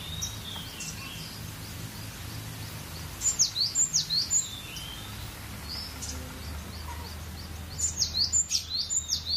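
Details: Cinereous tit (gelatik batu) singing: two bursts of high, sharp, V-shaped notes, each burst about six quick repeats lasting roughly a second, separated by quieter gaps with soft high chirps over a low steady hum.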